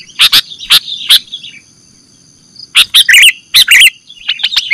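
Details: Sooty-headed bulbul call used as bait for bird catching: four loud scratchy chack notes, a pause, then a fast jumble of bubbly chirps and harsh notes over a faint high hum.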